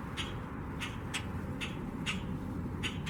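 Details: Common Grackles in a backyard in Waterloo Region, Ontario, in early March, trading short, harsh chack contact calls, one answering another, roughly two or three per second, over a steady low rumble.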